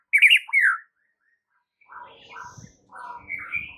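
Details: White-rumped shama masteran song to trigger a reply: two loud, sharp twittering phrases, a pause, then softer, fuller whistled notes with faint low background noise.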